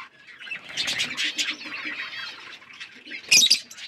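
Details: Parrots eating food and chirping: overlapping bursts of high, harsh chatter and trills, quieter in the middle, ending with a loud piercing squawk.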